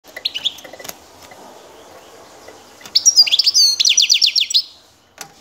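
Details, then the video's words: A local European goldfinch sings the bağlamalı şakşak song type: a few sharp high chirps, then a rapid, tinkling burst of liquid twittered notes lasting nearly two seconds, with light clicks nearby. "Saka kuşu bağlamalı şakşak"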